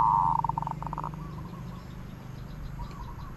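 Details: Zebra dove with its 'aod' coo: the tail of a buzzy note breaks into a fast, tapering string of short pulses. Weaker coos follow over steady low background rumble.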